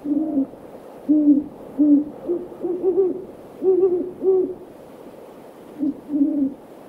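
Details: Several great horned owls in a backyard one evening give deep, soft hoots in an uneven rhythm, some slightly higher-pitched, about ten over seven seconds against a quiet background.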